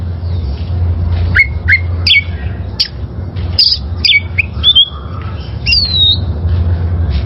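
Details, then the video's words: Oriental magpie-robin, a wild-caught bird, recorded as training song for caged birds: scattered clear whistles, quick upward and downward slurs and a long falling whistle near the end, over a constant low hum. "Masteran Suara Burung Kacer Liyar...!!!"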